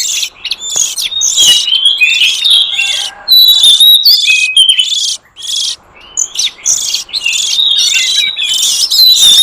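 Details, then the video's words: Oriental magpie-robin, a wild forest bird, in a sound played to lure wild magpie-robins: varied whistled notes and quick warbles interwoven with scratchy buzzing bursts, one brief lull midway, then a loud finish. "Suara pikat burung kacer liar hutan ampuh"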